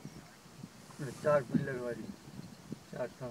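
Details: Greylag geese at Little Rann of Kutch, Gujarat, India, January 2020, calling together at close range: overlapping nasal, wavering honks and softer chatter from several birds.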